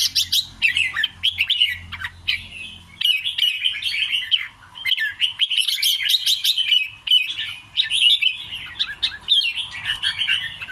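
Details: Red-whiskered bulbul singing in the style called double-rik scattered: lively, varied whistled and chirping phrases, mostly high-pitched, in quick bursts with short pauses throughout, over a faint low hum.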